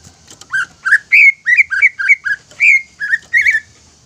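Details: A greater green leafbird sings a lure song so other leafbirds become agitated and sing. It gives rich, slurred whistled notes in a wavering series, roughly three per second, some with buzzy edges.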